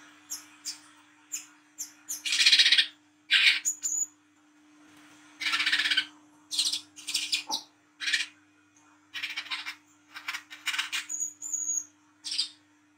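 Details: Night-time 'wiceh trotol ngriwik' song of an olive-backed sunbird, offered as a lure sound for young birds: dense runs of harsh rasping bursts mixed with sharp high chirps and brief whistles, delivered rapidly and irregularly over a low constant hum.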